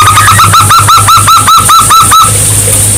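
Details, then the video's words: Loud run of about ten quick, rising cooing notes from a local zebra dove, meant as a lure recording to make quiet doves respond, ending abruptly with a steady low hum underneath. "masteran pancingan perkutut lokal gacor untuk yang macet bunyi langsung nyaut"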